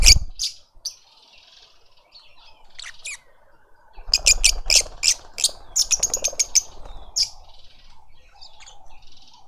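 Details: Lovebirds feeding a juvenile in a Pretoria garden, South Africa. A few squeaky notes give way to a dense run of shrill, staccato chirps over soft fluttering and rustling.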